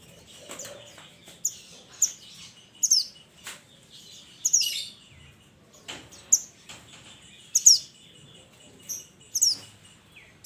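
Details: Mountain minivet calling to its companions: many high, piercing, descending chirps, some doubled, coming irregularly about once a second, with other faint twittering notes mixed in.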